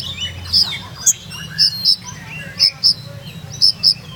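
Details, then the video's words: Olive-backed sunbird, known locally as kolibri ninja, from Purworejo, delivering a rhythmic, melodious rolling song: sharp high chirps in pairs, roughly one a second, with thin faint twitters between them over a quiet low hum. "SUARA BURUNG: Kolibri Ninja Purworejo Berirama Syahdu Ngeroll Nembak"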